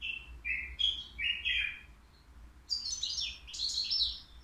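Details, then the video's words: Three-year-old caged European goldfinch singing at the Qriaa bird market: a few rolling, slightly buzzy notes, then a higher, denser flurry of liquid twitters, over faint low hum. "الموقنين بدون أخطاء عندو 3 سنوات"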